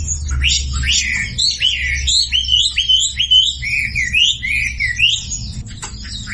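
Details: Sumatran leafbird singing in the masteran style used to make quiet birds join in: a string of looping whistles, each swooping up then down, about two per second, with a soft low rumble behind.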